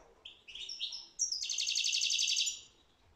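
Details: Song of a European goldfinch, a few rising twittered notes leading straight into a long, rapid, buzzy trill that fades out.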